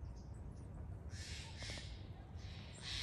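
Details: Rough, raspy calls of a Steller's jay: a long grating burst in the middle followed by a shorter one at the end, over a persistent low hum.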